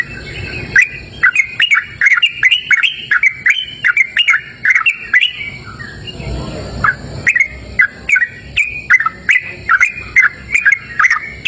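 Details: A sooty-headed bulbul sings loudly in the cool open air, with quick repeated chirps and slurred notes. Midway there is a short pause with a low rushing sound, then the rapid chirping picks up again.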